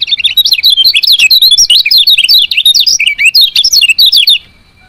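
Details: Lemon-bellied white-eye female chirping to stir males into singing: about four seconds of fast, piercing, zigzagging chirps in a steady unbroken stream, ending abruptly.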